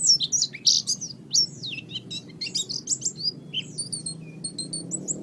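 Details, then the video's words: Oriental white-eye master song for training birds, a busy stream of high sliding whistles and chirps, some notes rising and falling, delivered irregularly over a steady low hum. "raja masteran pleci"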